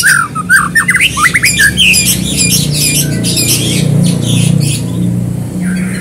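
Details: White-rumped shama lure song meant to prompt another bird to sing: rapid jumbled chattering with harsh, scratchy notes and short whistles, fading to a softer trailing phrase, with a constant low hum underneath.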